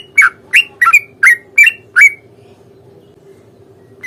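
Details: A short volley of six sharp, bending chirps from a sooty-headed bulbul in fighting song, meant to provoke an answer, followed by nearly two seconds of quiet and a final note; soft hum throughout.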